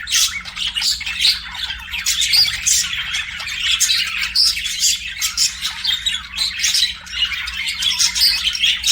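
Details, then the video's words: Chirping and singing budgerigars kept as pets, a steady run of squawky warbles and quick high chirps from more than one bird, bursts pulsing roughly every half second, low hum in the background. "BUDGIES SINGING AND CHIRPING"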